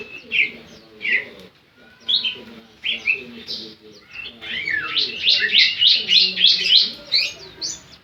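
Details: Javan sunbird (ciblek) singing: sharp high chirps spaced about a second apart, then a fast run of bright, rapidly repeated sweeping notes near the end, with a low murmur underneath.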